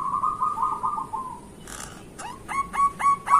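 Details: Morning song of a local zebra dove, played to stir other zebra doves to sing: a steady rolling trilled coo fades out, then short hooked notes repeat about four times a second.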